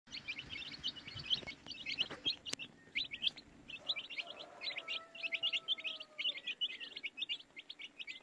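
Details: Baby chicks chirping continuously in a dense chorus of short, high, rapid peeps overlapping one another, with a faint low hum underneath and a brief soft whistle-like tone midway.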